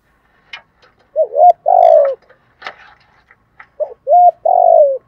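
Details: Spotted dove decoy singing in the 'giọng thổ' style to attract wild doves; two coo phrases, each a short note, a rising-level coo and a long falling coo, with faint clicks and rustles between.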